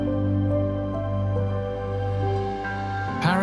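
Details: Soft, sustained new-age style music with steady low tones and gentle melodic notes; no animal voices are heard.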